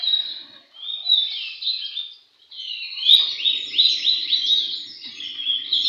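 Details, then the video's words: Singing white-rumped shama, locally kacer, at a bird contest: a warbled phrase, a brief pause, then rapid repeated rising and falling whistled notes in a fast series, with low background murmur. "kontes burung Kacer ci kaso alur"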